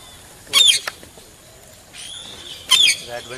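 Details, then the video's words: Slaty-headed parakeet with two loud, shrill squawks separated by about two seconds, plus fainter downslurred calls in between and a brief crackling rattle at the close. "slaty headed perakeet"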